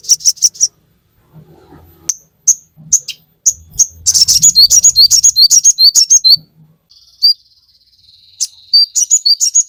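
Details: Training song of a crimson sunbird for captive birds: scattered high chirps, then a dense burst of rapid sharp notes over a low rumble, a brief buzzy thin trill and further quick chips.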